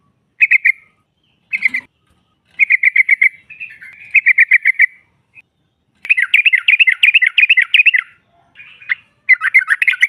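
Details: Female sooty-headed bulbul, meant to draw rival birds into answering: short clipped bursts of quick, even chirps separated by silences, building into a longer rattling chatter later on.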